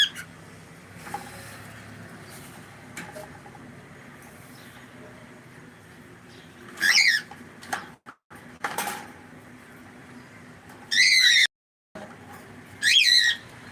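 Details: Pet cockatiel indoors calling with loud, shrill, wavering screeches that rise and fall. Four bursts come several seconds apart against a steady background hum.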